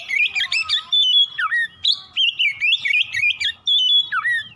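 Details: ['Morning singing of an Oriental magpie-robin, meant to lure birds into fast, continuous song: bright whistled phrases that rise, fall and twist, delivered in quick rhythmic bursts with short gaps.']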